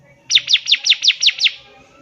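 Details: Bar-winged prinia, singing strongly, recorded as a tutor for young birds: a single clean phrase of seven evenly spaced, piercing notes, each sliding downward, delivered in just over a second.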